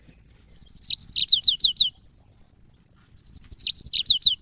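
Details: African yellow-fronted canary song used to train cage birds. Two high, sweet bursts of rapid down-slurred notes, the later notes spaced more evenly, with roughly a second of silence between bursts.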